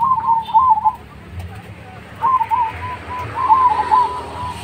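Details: Zebra dove of the Mojopahit type with a big voice, used as a lure to prompt other doves to sing: two bursts of warbling, bubbling coos, the second longer with a trailing run of short notes, over a low steady hum.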